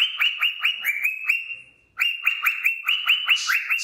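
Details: A happy, content male cockatiel belts out his "Wiko Wiko" song, a quick train of rising whistled chirps, about two per second, broken by one long steady whistle and a short pause.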